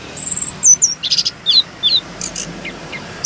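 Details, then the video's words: Short burst of orange-headed thrush (anis kembang) song in rolling style: a thin high whistle, then rapid downslurred and buzzy notes and two soft lower chips to close. "Anis Kembang Gacor Ngeroll"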